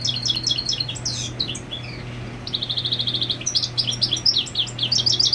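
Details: European goldfinch singing to mark territory while its mate is on the nest; fast tinkling twitters and trills, including a rapid series of repeated bright notes, over a low continuous hum.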